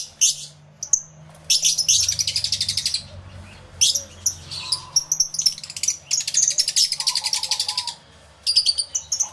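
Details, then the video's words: Lovebirds massed in an aviary, captured on two external microphones: dense, high-pitched buzzy rattles in long pulsed runs, with sharp single chirps and short quiet gaps; a faint lower whistle sounds midway. "1 Hour Lovebird Sounds Aviary Series V1"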